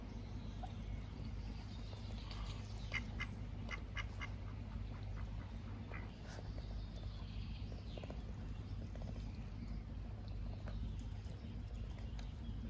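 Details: Curious ducks at a pond on a warm, sunny summer day with occasional breezes, exploring path edges and bushes; a few short, harsh quacks in loose bursts over steady low wind rumble.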